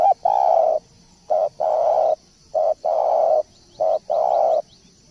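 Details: Spotted dove in full, frequent song: low mellow coos in short-long pairs, each long note about half a second, repeating in quick succession against a steady high-pitched background hiss.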